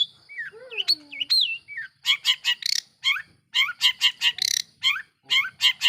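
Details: Long-tailed shrike song played as a lure to rile other shrikes: it opens with looping whistled slides, then shifts into a fast run of short harsh buzzy notes, briefly paused, then resumed.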